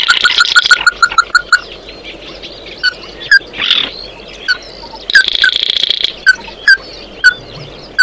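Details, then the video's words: Oriental white-eye singing to call its flock: a fast run of clipped notes with buzzy trill, then scattered chips, a soft swelling note and another buzzy burst. "Tiếng kêu của chim Tí Hỉ, Chim Mắt Đỏ hót gọi bầy"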